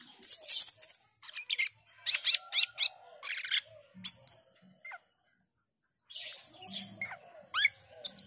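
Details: Asian pied starling song opening with high whistles and rasps, a run of chattering notes, a quiet pause, then more squeaky sweeping notes.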